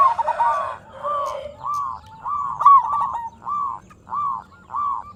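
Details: Prolific local zebra dove singing as a luring bird to make other zebra doves answer. Rounded, bubbling coos repeat about twice a second. A few fainter notes overlap at the start. A low hum runs underneath.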